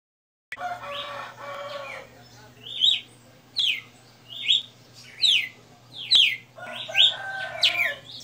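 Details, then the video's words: Red-cowled cardinal, a kept bird, singing the 60-note song style: short bright downslurred whistled notes repeated about every second, preceded by a harsh harmonic burst from another bird near the start, with a steady low hum underneath. "Galo de Campina 60 NOTAS Cantando"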